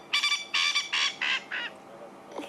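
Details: Male Coqui francolin giving his sunset chorus at the end of the day, telling other males this is his place: five rasping, nasal notes in a steady series, the final one softer.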